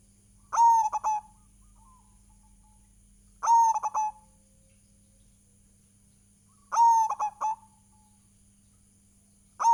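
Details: Zebra dove of a local strain, recorded as a lure for other doves. Each short phrase opens with a ringing coo and ends in a few fast clipped notes. Phrases repeat about every three seconds over a faint electrical hum.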